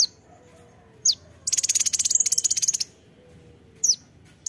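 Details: Kolibri ninja sunbird with a dense, buzzy trill of rapid high notes lasting over a second, framed by single sharp sweeping chirps.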